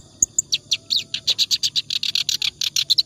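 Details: Clamorous reed warbler singing ngacor style for other birds to learn from: two thin high pips, then an accelerating stream of loud scratchy notes, about six per second.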